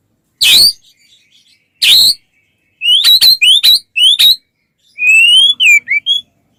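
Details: White-rumped shama, singing to draw other shamas into song: two harsh scratchy notes, then crisp rising whistled notes in quick groups and a long smooth whistle with falling slurs.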